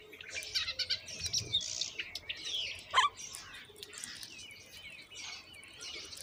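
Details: Common myna babies calling while being fed moringa by their mother: noisy, scratchy high chatter in clustered bursts, with one louder sharp squawk midway.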